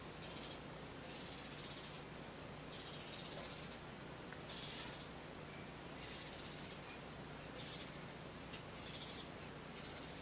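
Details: Hooded Oriole family of three fledglings and an adult female that feeds them insects and regurgitated food, in a side yard west of Santa Barbara, California, August. Harsh, raspy high chatter bursts, each under a second, repeated over steady low background hum.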